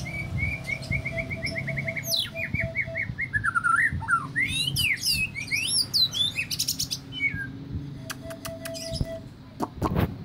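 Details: An easily agitated white-rumped shama delivers a long, varied song: a run of repeated whistles, then swooping, rising and falling notes and sharp high sweeps, with a faint steady tone in the background.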